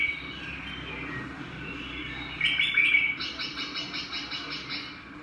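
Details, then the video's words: Singing bird gives a bright chirping burst, then a rapid, even series of short repeated notes, about three each second, fading toward the end, with a low steady hum behind. "Chim hót thế nào mọi người"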